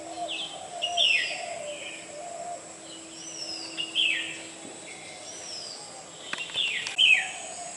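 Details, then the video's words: Black-hooded oriole calling: clear, downward-sliding notes, repeated roughly every three seconds, over a steady background hum with faint chirps from other birds. "Cute bird black yellow Oriole #original calling sound"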